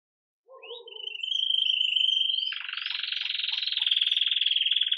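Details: A red mosaic agate Belgian canary, lively at the start of the day, sings its 'campainha' bell song: a bright, steady high whistle, then a fast, rolling, buzzy trill, with a few soft lower notes before.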